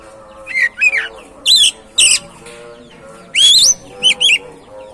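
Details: Song of an oriental magpie-robin meant to provoke another bird to sing: loud high whistled slurs and rising sweeps in short bursts, over a faint steady low tonal hum.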